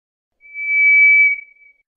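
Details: White's thrush giving one thin, monotone whistled note that rises in volume, holds level on a single high pitch, then tapers away, in otherwise quiet surroundings.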